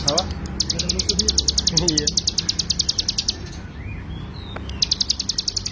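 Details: Ciblek gunung, or hill prinia, in a rapid 'ngebren' song meant for tutoring songbirds: a fast trill of high, sharp notes, broken after three seconds by a short gap, while faint low voices and a few squeaky chirps sound beneath.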